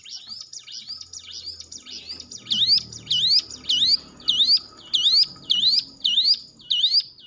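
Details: Hill prinia song used to train nervous cage birds: quiet distant notes give way to nine loud, sharp upslurred whistles repeated steadily, with low background murmur.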